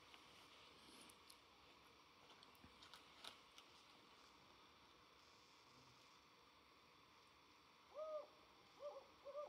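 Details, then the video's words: Desert owl at night in a starlit wadi in Oman, November 2024, giving three short, soft hoots with a slight rise and fall, about a second apart near the end, over steady background hiss. "Desert Owl"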